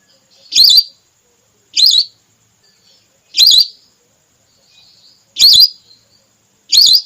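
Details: Whistling duck female call used as a hunting lure for red whistling ducks: five high, wavy two-note whistles, each sharply struck and about a second apart, with faint softer twitters in between.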